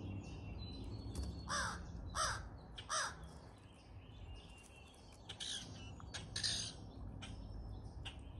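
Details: A pair of crows, very vocal in the morning while being fed; several harsh descending caws in a short series, then more scattered caws, over a steady low rumble of background noise.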